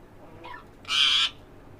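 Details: Breeder pair of green rose-ringed parakeets: a faint short note, then one loud harsh screech lasting about a third of a second over a quiet background hum.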